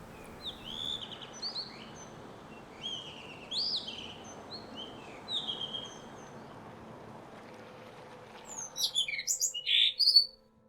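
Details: A Blue Rock Thrush in Japan, where both sexes sing loudly, sings short, clear, warbled phrases at a moderate pace, ending in a louder, bright burst of notes over a low steady hum.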